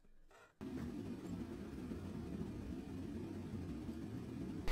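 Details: Low engine rumble of a vehicle idling or driving, steady after a short quiet start, with no animal voices heard.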